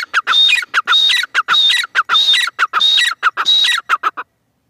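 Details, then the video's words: A female francolin calls continuously. Harsh, grating bursts alternate with high whistled notes in a fast, regular rhythm, six or seven phrases in four seconds. "madi teetar ki awaz"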